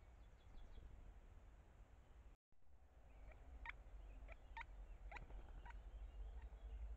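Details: A great spotted woodpecker at its nest cavity, where both parents feed newly hatched chicks, gives short, sharp, high 'kik' communication notes at an uneven pace, about two a second, over a steady low rumble.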